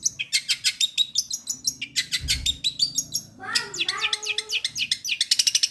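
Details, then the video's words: Long-tailed shrike song packed with imitated material like fighting sparrows and getar: fast repeated high chips about three per second, a brief harsh burst, then twittering down-slurred notes and renewed rapid chipping over faint low hum. "CENDET MATERI GEREJA TARUNG GEREJA PETIR KUNTILANAK GETAR RESTU TENGKEK BUTO"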